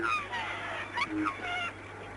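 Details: Black swans calling as they come in to land: several bugled, slightly wavering calls in quick succession, overlapping one another, with a steady low hum beneath.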